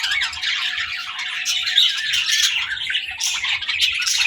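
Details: Several young budgies playing and talking, a steady stream of high, squeaky chirps and chatter with a faint constant hum behind them.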